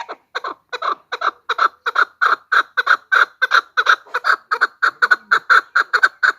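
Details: Hen chukar calls for hunting: steady series of coarse clucking notes, roughly three a second, some paired, growing louder and holding pace for six seconds.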